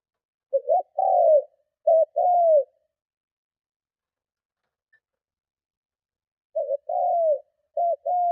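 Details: Luring call of a spotted dove, cooing hard to provoke other doves: two bursts of short stuttered notes and falling coos, separated by about four seconds of silence.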